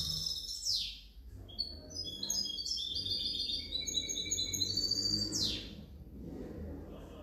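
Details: Kept European goldfinch hybrid from 2019–2020 delivering a continuous rapid twitter of high, metallic notes and short trills, broken by two fast downward-sweeping buzzy notes; soft low-frequency rumble behind.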